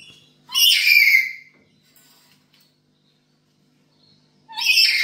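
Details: Domestic black-capped lory calling energetically at home: a rough, raspy squawk with a low lead-in note, a long pause with faint ticks, then another harsh squawk starting near the end.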